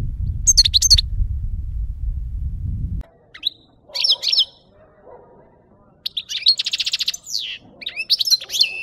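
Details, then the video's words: European goldfinch song used as a lure for catching birds: bursts of tinkling, twittering high notes with buzzy trills, separated by pauses; a loud low rumbling noise fills the first three seconds. "Chardonneret qui chante"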